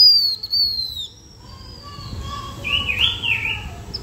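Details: Blue-winged minla lure song used to draw in other birds: thin, high whistled notes sliding downward, a lower steady whistled tone beneath, then a brief burst of rougher chirping near the end, with faint low background rumble.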